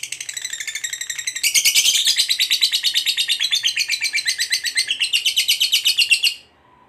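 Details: Fighter lovebird giving a long ngekek trill used to provoke rivals: a continuous rapid chatter of high, buzzy notes that starts quieter, swells loudly after a second and a half, and then ends abruptly.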